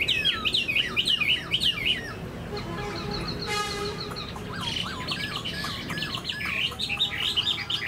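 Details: A very old, about 95% tame caged Chinese hwamei, with tail fanned and wings displaying, sings a loud, rich run of varied whistled phrases, rising and falling, with a brief buzzy burst midway and faint background hum.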